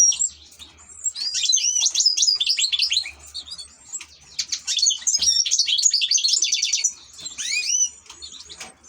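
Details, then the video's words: Caged ornamental European goldfinch singing long, busy phrases of rapid twittering, buzzy trills and rolling repeated notes, broken by brief pauses, with a few curving whistled notes toward the end. "#الحسون# احلى تغريد في طيور الزينة"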